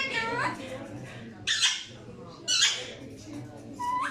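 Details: Alexandrine parakeets: loud harsh squawks alternating with falling harmonic calls, ending on a rising note.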